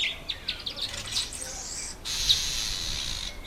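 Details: Red bishop, breeding-season male in black and red plumage, October to November: a rapid string of sharp, high chips and twitters, then a sustained sizzling buzz for the final second and a half.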